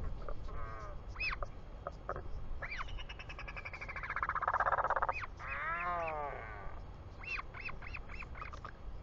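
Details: Royal albatross on a New Zealand nest cam, 24 July 2020 at 4:06 pm, father returning: arched yelps mixed with longer buzzy, harmonic-rich drawn-out calls and a wavering rasp mid-clip, then quick yelps again, wind in the background.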